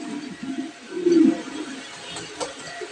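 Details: Imported Black Show King pigeons, a breeding pair of male and female: low, soft murmuring coos under steady background hiss, with one louder, short throaty coo just past the first second.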